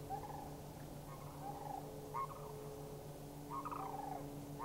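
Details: Three Sandhill Cranes in Anchorage, Alaska, call in reply to a flock flying past on May 1, 2011; rolling, rattling trumpet notes in several bursts, the later ones louder, over a steady low background hum.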